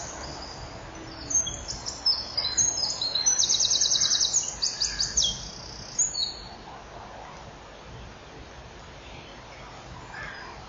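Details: At a common kingfisher nest with chicks and eggs on 24 June 2015 at 10:17, as the male brings a fish and the female leaves, very high, shrill piping calls in quick bursts run into rapid buzzy trills, then fade to hiss.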